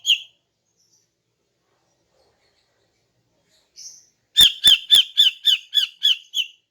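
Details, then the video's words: Morning song of a female greater green leafbird meant to draw in males. A single short harsh note, a long pause, a faint high buzz, then nine loud, evenly spaced chattering notes. "KICAUAN CUCAK IJO BETINA PAGI HARI 🔥 Alternatif untuk Pancing Jantan"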